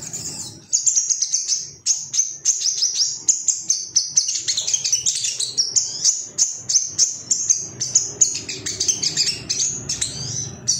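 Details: Male ruby-cheeked sunbird in an excited state, calling for rivals: a fast, sustained, sibilant high twitter of clipped notes, steady in pace and nearly unbroken throughout.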